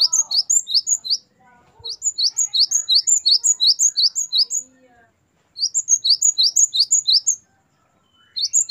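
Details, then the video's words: Gelatik batu, or great tit, delivering the wucit variasi song used for masteran of captive birds: repeated bursts of quick high paired notes separated by brief silences, with faint lower chirps between the bursts. "Gelatik batu gacor wucit variasi. Great tit. Singing birds."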